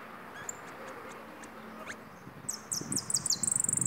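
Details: A pet European goldfinch, recorded around midday on Wednesday the 24th, bursts into a fast, high, tinkling twitter of rapid repeated notes in the final seconds, after a quiet start with soft knocks and a few faint chirps.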